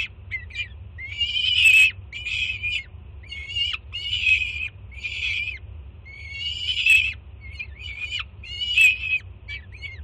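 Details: Juvenile female peregrine falcon on a Jersey City nest camera, 24 June 2017, loudly greeting her mother arriving with breakfast: harsh, raspy screams in bursts of one to two seconds with short gaps, each ending in a downward slur, over a low steady hum.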